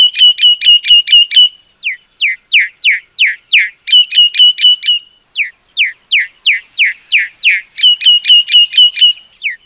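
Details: Common myna song alternating quick trilled bursts of clipped notes with loud, drawn-out whistles that slide downward, the two phrase types repeating back and forth.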